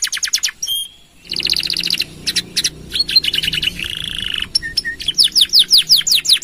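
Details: Canary in steady song, used to prompt and tutor other songbirds: fast high trills of evenly spaced notes, a sustained buzzy section, short whistled sweeps, then a closing run of rapid descending slurred notes, all clear and loud.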